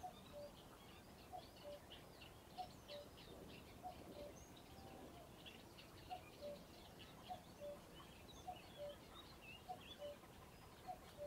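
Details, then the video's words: At RSPB Ham Wall Nature Reserve, Somerset, UK, a common cuckoo calls over and over, a descending two-note cuckoo roughly every 1.2 seconds, with a chorus of other birds singing in the background. "Cuckoo Call"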